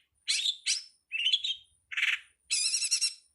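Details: Long-tailed Shrike in a master recording used for songbird training: five raspy, buzzy bursts with short gaps, the last a longer warbling, trilled phrase.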